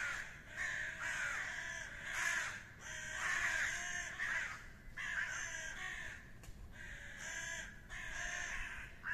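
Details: Harsh, rasping caws from fighting common ravens, delivered in irregular bursts of one to two seconds separated by short gaps, the calls hoarse and strained throughout.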